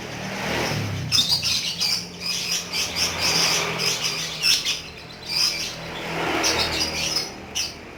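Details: Lovebird in ngekek song: rapid, harsh high chattering in dense repeated bursts, long runs broken by brief pauses, with a low hum below.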